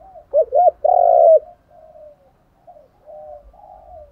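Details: Spotted dove decoy coo, male and female, used to stimulate trainee doves: a short phrase of two clipped coos, then a long rolling coo, followed by softer, fainter cooing trailing off.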